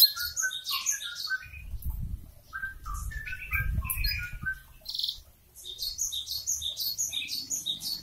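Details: Canary in kenari bocor song: a jumble of varied chirps, short whistles and sharp high notes at changing pitches, over low rumbling background noise.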